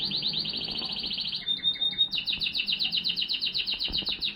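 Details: Male Timbrado canary singing in 2023: a fast, even trill of repeated notes, then a brief pure whistle, then a second trill with slightly spaced, bouncing notes over a low background hum.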